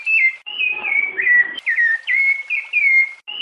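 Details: Piedade song of a rufous-bellied thrush, for warming up a kept bird, female calls included: loud fluted whistles sliding downward, delivered in tight phrases with short pauses between them.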